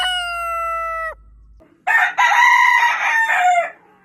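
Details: Rooster crowing in the morning, a long call: one drawn-out, level, harmonic-rich crow of about a second, then after a short pause a second louder, rougher crow with wavering tones lasting nearly two seconds.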